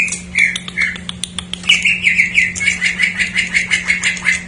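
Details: Greater green leafbird, isian jamtrok song used as a lure for untrained or silent birds; a rapid series of clipped, repeated whistled notes, about three per second, with a few sharp clicks, over a low steady hum.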